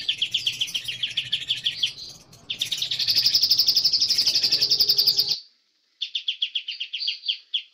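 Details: Young forest-caught White-rumped shama, master song to give birds learned material: chattering high trills, then a loud, steady, rapid buzzing trill lasting over two seconds, silence, and renewed pulsed phrases.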